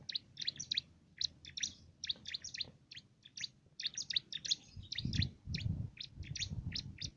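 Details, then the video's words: Small, agile bar-winged prinia singing canary-style song for training contest birds: fast, high chirping phrases throughout, while a low rumbling noise swells in the second half. "Burung cimblek isian brem rasa kenari"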